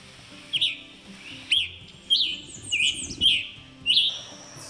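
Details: A Scarlet Tanager in the Carolina Crescent gives its call, not song, a short, husky 'chipper' or chip-burr, repeated about every second, over a faint low hum.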